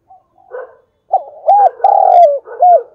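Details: Decoy spotted dove cooing in the calling style known as thúc bổi: soft, low opening notes, then a loud run of three clear, hollow coos, the middle one long and drawn out, slightly falling at its end.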